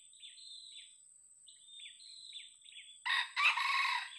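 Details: Hesitant old junglefowl kept as a luring decoy: after three seconds of thin, high chirps from small birds, a loud, rough crow breaks in as two harsh bursts with a steady high hum behind.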